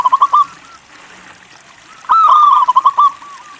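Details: A few short coos from a local zebra dove, then a second's quiet, then a full rolling phrase ending in quick staccato notes. The dove is a lively singer recorded to set other doves singing.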